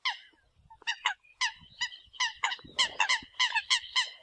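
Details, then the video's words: Eurasian coot calling as decoy sound: honking nasal notes that start sparse and build into a dense, excited run, with low handling noise underneath. "TIEN CHIM SAM CAM CUC CHUAN TIENG CHIM MOI 2020"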